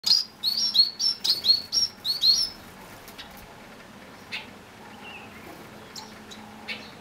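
Grass finches give a quick series of thin, high chirps, about a dozen in the first two and a half seconds, then fall quiet, leaving faint scattered peeps.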